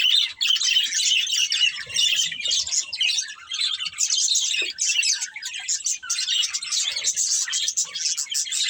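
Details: Budgerigars of a breeding pair keep up rapid high warbling chirps and scratchy twitters, continuous and overlapping with a few sharp clicks and brief dips in loudness, steady for almost nine seconds.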